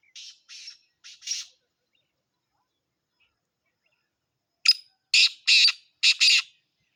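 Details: Two phrases from a black francolin: soft scratchy notes, a pause of about three seconds, then a louder sequence of sharp, harsh rasping notes in pairs.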